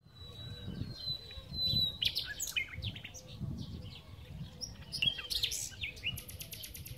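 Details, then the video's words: Common nightingale singing on a spring day at Titel, Serbia, 8 April 2016: a long steady high whistle, then varied chirps and sharp notes, ending in a rapid dry clicking rattle, over a steady low rumble. "Ptica - slavuj / Bird - nightingale"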